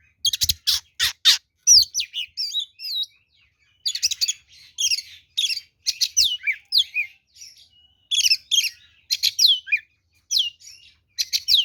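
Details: Oriental magpie-robin singing a fighting song used as a lure. A rapid, continuous flow of varied high whistles, trills and buzzy notes arrives in dense phrases with short gaps, and no other sounds are heard.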